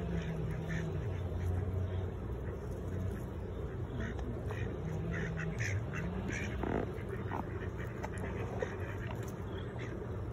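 Ducks give low, nasal quacks in short bursts over a steady wash of background noise, with faint voices now and then.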